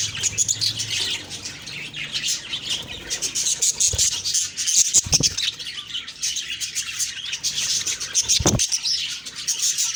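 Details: Morning budgerigar chorus of high twittering chirps and whistles, broken by a few dull thumps and knocks.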